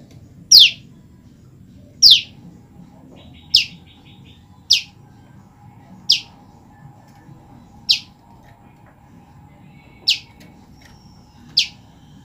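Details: Female olive-backed tailorbird, separated from its mate, calling repeatedly to it: sharp, high, slurred chip notes, eight of them, spaced about one and a half seconds apart, over a low steady hum.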